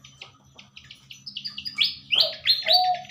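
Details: Pied fantail in the morning, kept for pairing and breeding before release back to the wild: a quick run of short, high chirped notes repeated several times a second, building to louder, sharper notes at the end, with lower drawn notes from other birds.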